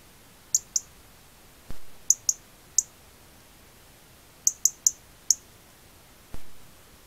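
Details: Winter feeder, rural Cavarzere in Venice province, Italy: a European robin filmed with an Acorn 6210 camera trap makes crisp, very high ticking notes in quick clusters of two to four, with two duller thuds between them.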